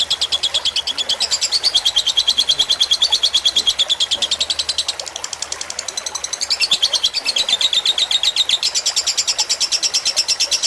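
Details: Long chattering song of a fighter lovebird in a tutor recording with trickling water: dense rapid high chirps running on, dipping slightly in loudness midway before resuming strongly.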